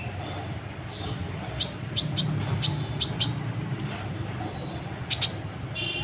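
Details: Sunbird (kolibri ninja) in lively song, meant to make other birds answer: fast clusters of very high thin chirps and tinkling trills, repeated in bursts, low background hum.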